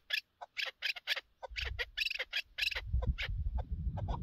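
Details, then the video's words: Chukar partridge from a partridge hunt, uttering clusters of loud, gravelly chuck notes in uneven groups, while low rumbling noise rises toward the end. "Шикори Кабк keklik avi"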